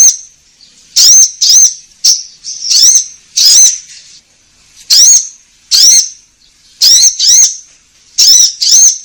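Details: Orange-headed thrush song, played to prompt caged birds to sing: loud, high, ringing phrases of bent whistled notes, often paired, repeated every second or so with short pauses between.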